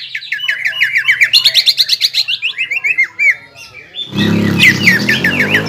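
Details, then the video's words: Caged greater green leafbird singing to provoke a rival: rapid chattering whistled phrases, then a pause, then a loud burst of noisy, low-heavy sound mixed with further notes. "CUCAK IJO GACOR INI MAMPU MEMANCING EMOSI CUCAK IJO LAWAN"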